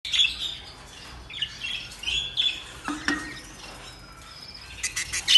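Budgerigars chatter with bright, scratchy chirps and warbles, mostly high-pitched and uneven.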